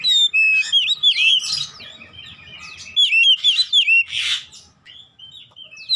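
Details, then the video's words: Oriental magpie-robin (kacer) song, used as therapy to get a silent kacer singing: loud, varied whistled notes sliding up and down, broken by harsh raspy bursts, with pauses between phrases and a faint low hum. "terapi membuka paruh Kacer macet bunyi ikut gacor"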